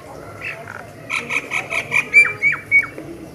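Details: Myna song: a quick series of rough, buzzy notes speeds up, then shifts into sharp whistles that drop steeply in pitch, repeated about three times, over low background hum.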